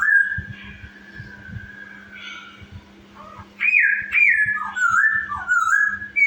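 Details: Chinese hwamei singing as a lure meant to stir other birds to sing: a long, steady whistled note, then loud, varied slurred whistles rising and falling in quick phrases, over a low steady hum and soft rustling.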